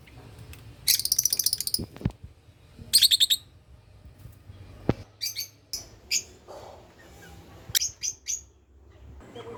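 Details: Lutino opoline lovebird in an aviary, giving bursts of rapid, harsh chattering notes and sharp high chirps, with scattered clicks and a low steady hum behind.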